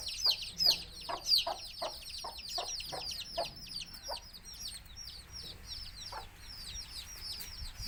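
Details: Native country hen calling her chicks to eat gives a run of short, low clucks that slow and fade, as the chicks' high, thin, descending cheeps continue densely throughout.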